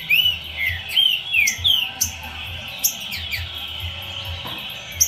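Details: Green-winged saltator delivering sweet, arched whistles in a quick opening phrase that fades into softer notes, with a steady high-pitched hiss and low hum behind.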